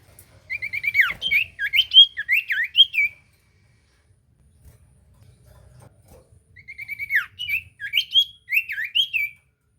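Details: Lively common iora song used to draw a response from a silent iora: two bursts of looping, dipping whistles about three seconds long, separated by near silence.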